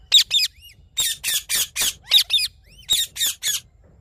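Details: Rose-ringed parakeet calling in the morning, a loose series of about a dozen loud, grating high shrieks, some with a curling, whistled edge, roughly two or three per second in places.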